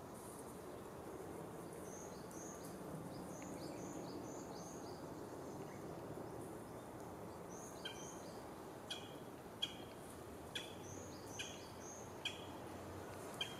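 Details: A female pale thrush at Gongenyama on 16 April 2016 gives thin, very high notes in short paired bursts, then sharper clicking chips, over a steady broad hiss of wind or running water.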